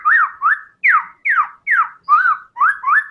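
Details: White-rumped shama delivering tembakan song: a steady string of eight loud, clear slurred whistles, some rising and others falling steeply, each about a third of a second apart.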